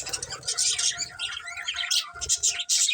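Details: Colourful budgies trade quick high chirps and short warbled phrases over a faint steady hum and low soft thumps.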